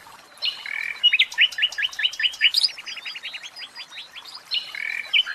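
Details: Common nightingale kept in a cage delivers a varied song: a short whistle, then a quick series of repeated sweeping notes, more even repeated notes, and a closing pair of level whistles.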